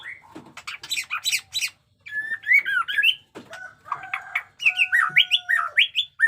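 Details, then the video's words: Jenggot Dewa white-rumped shama mixing raspy chattering bursts with bright looping whistles and a run of rising, rolling notes over a faint steady tone. "pesona AURA MURAI BATU JENGGOT DEWA fighter abis Batuk Koral, Muntah beling murai bisu ngikut nYaut"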